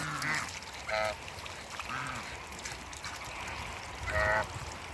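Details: Backyard group of African geese, two males and one female, playing in water, giving short nasal honks at irregular intervals over a steady background hiss.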